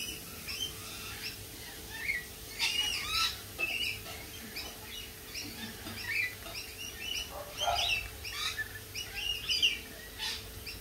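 Lorikeets chatter in a busy flock: shrill, overlapping screeches and rapid chirps in bursts every second or so, over a faint steady hum.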